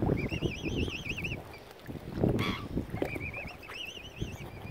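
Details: Hungry mother swan, angry, on Lough Neagh in County Armagh, Northern Ireland, after algae killed her usual food; clear, high quavering calls with a wobbling pitch repeat in short runs above low rumbling and splashes.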